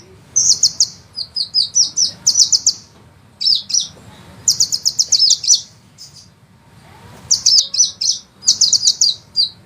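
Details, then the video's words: Rolling ngeroll song of a sunbird, used as master material for tutoring cage songbirds. Thin, very high chattering trills arrive in quick clusters of one to two seconds, with a longer gap midway, against a quiet background. "suara penghisap madu ngeroll nembak panjang"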